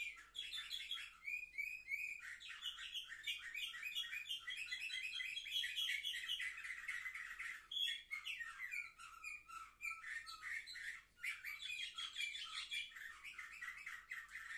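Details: Young canaries, seven months old, recorded 10 November 2023, singing a long continuous warbling song of rapid chirps, trills and rolling phrases, with brief pauses, in a quiet indoor room.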